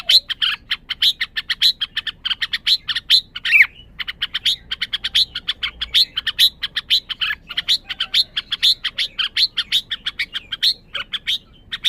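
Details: Caged red-whiskered bulbul behaving in a way suggesting strong excitement. A long, rapid run of high, sharp chirps and short whistled notes, many per second, nearly unbroken for twelve seconds, with a few slurred notes mixed in.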